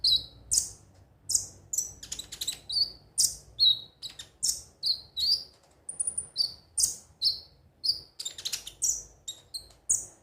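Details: Konin sunbird repeating sharp high chirps at a steady, fairly even pace, each note a quick downslurred tweet, with occasional faster twittering runs; the background is quiet.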